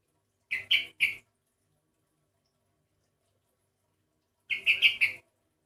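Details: Sooty-headed bulbul that sounds unlike typical ones, giving two bursts of three to four harsh rapid chirps roughly four seconds apart, with nothing else audible.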